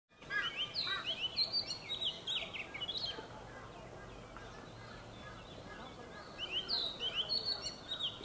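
Oriental magpie-robin singing rich, varied whistled phrases, some sliding and some sharp, in two bursts separated by a quiet pause over soft background hiss.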